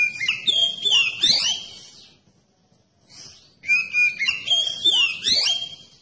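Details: Oriental magpie-robin song meant to draw other magpie-robins into song: two loud bursts of varied whistles, sharp downward sweeps and rapid trills, split by a brief quiet pause with soft chirps.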